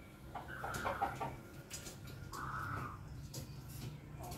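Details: Ayam Ketawa, or laughing chicken, crowing on a Monday morning: two stretched, even notes about two seconds apart, with clicks and knocks around them.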